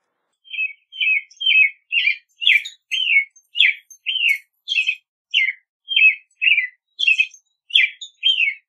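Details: Rapid, continuous American robin song: about fourteen short, bright whistled phrases with slightly buzzy edges, repeated roughly every half second throughout, in a quiet setting.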